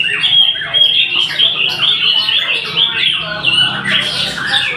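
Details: White-rumped shama singing bright, varied whistled phrases and buzzy chatter, closely packed and steady in volume.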